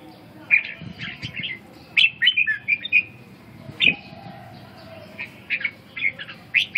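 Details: Red-whiskered bulbul of the Vietnamese inner-region type, singing short bright chirpy phrases in scattered bursts with brief pauses between them, plus a faint low background rumble.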